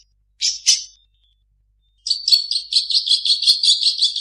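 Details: Long-tailed shrike: two sharp high notes, a pause, then a fast, varied, high warbling chatter of borrowed phrases, several notes a second, against a silent background. The song is full of mimicry, including ciblek, srikatan, murai, tengkek, prejak and chicken.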